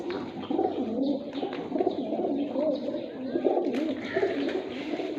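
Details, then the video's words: Fighter pigeons in a Sindhi village, Pakistan, cooing in low, gurgling, overlapping phrases with brief swells, while a person's voice is faintly heard among them. "kabootar fighter Pigeons in Sindhi village Pakistani"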